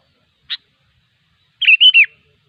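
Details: Wild sooty-headed bulbul, locally kutilang, giving one short sharp chip followed by a quick three-note liquid warbled phrase, bright and slightly descending at the end, in a quiet setting.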